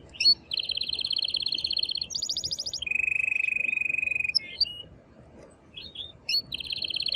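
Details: Excited male canary singing loudly to prompt the female to mate and for chicks to hear: a long high rattling tour, a very high trill, a lower steady buzzing roll, a short pause, then the rattling tour again.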